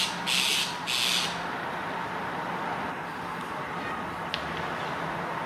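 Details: Rose-ringed parakeet fighting over a future nest site, November 2022: two loud, harsh screeches in quick succession, then steady traffic-like background rumble.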